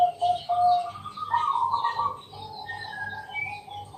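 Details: Night-time lure song of a Bangkok zebra dove, meant to draw other doves into singing: one soft coo phrase followed by quieter trailing coos, partly masked by higher chirps from other birds and a steady low throbbing hum.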